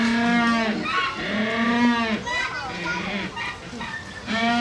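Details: A Humboldt penguin at Hamura City Zoo, Japan, on 20 June 2015 brays in loud, harsh, donkey-like notes, several drawn-out honks rising and falling over about four seconds, with faint voices in the background.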